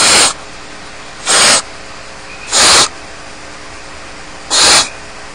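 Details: Alone in the nest at Starr Ranch, barn owl chicks beg with four strong, breathy snoring hisses, evenly loud, spaced about one to two seconds apart over low steady hum.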